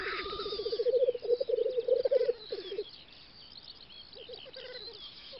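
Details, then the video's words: Black grouse lekking on a spring field in the Volga federal district, western Russia, 9-10 May 2019: a steady low bubbling, rolling coo, swelling and then fading, with faint distant higher bird notes. "Тетерев-косач токует"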